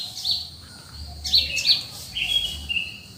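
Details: Birds at early morning in cool countryside: high thin chirps and short whistled notes, some sliding down, scattered irregularly over soft low background rumble.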